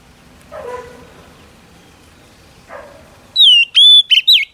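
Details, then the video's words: Female Oriental magpie-robin singing to urge on a male. Faint background murmurs come first, then a brief burst of loud whistles: one long falling note, a held whistle and two quick twisted notes. "Chòe than mái HUÝT KÈM THÚC TRỐNG kích trống căng lửa"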